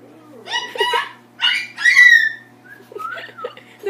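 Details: An umbrella cockatoo (Cacatua alba) gives several quick, harsh, speech-like squawks, then a bright whistled note that slides down, ending in softer chatter in a small room.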